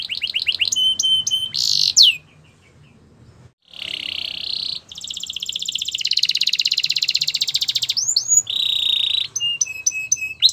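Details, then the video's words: Belgian canary song meant to prompt other canaries to sing: fast high trills, rapid pulsed rolls and sharp clipped notes in changing tours, with a short pause near the middle. "Special canaries to seduce all the canaries to make them sing | Belgian canary"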